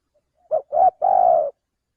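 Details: A single phrase from a male spotted dove used as a trapping lure: two brief, low coos in quick succession, then a longer sustained coo that fades out, in a quiet background.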